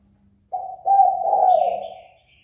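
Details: Spotted dove calling to provoke a rival into fighting: a single low, rolling coo phrase that starts with a short note, breaks briefly, then swells into a longer hoarse coo that fades out. A faint higher chirp is heard in the background.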